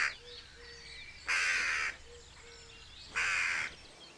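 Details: Played-back jackdaw alarm call signalling to the birds that a masked person is dangerous; two loud, harsh, rasping calls about two seconds apart, with soft low tonal sounds in between.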